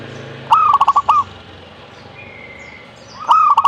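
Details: Two phrases of zebra dove song, each an upward-sliding opening note then a burst of quick, evenly clipped cooing pulses, separated by a quiet gap with a faint thin whistle.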